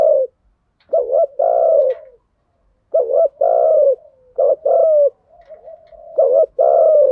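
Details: Spotted dove lure recording of mixed male and female birds, full thuc gu and gay goi call types: repeated phrases of a short two-part note followed by a long, slightly falling coo, with soft murmured coos between and brief pauses.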